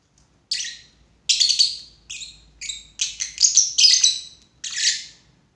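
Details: Lovebird chattering with a series of shrill, buzzy chirps that speed up into a dense cluster before ending on one drawn-out harsh note.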